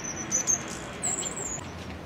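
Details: Green-backed firecrown (Sephanoides sephanoides) on Cerro Santa Lucía, Santiago, Chile, gives very thin, high squeaky notes: brief sharp ticks, then a longer drawn-out wavering whine, over a faint murmur of voices.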